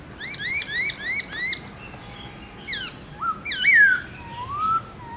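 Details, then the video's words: {'caption': 'Black-throated laughingthrush kept as a cage bird singing in the morning: a rhythmic row of rising whistled notes, then sharp downward sweeps and a rich, warbled slur ending in a long, gently rising whistle.'} "Khướu bạc má HÓT GIỌNG RỪNG- LUYẾN NHIỀU ÂM"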